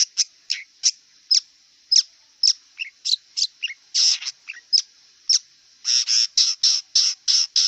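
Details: Wild long-tailed shrike repeating sharp, high downslurred notes roughly every half second, broken by harsh rasping bursts that cluster into a fast scolding run at the end, with a constant background hum.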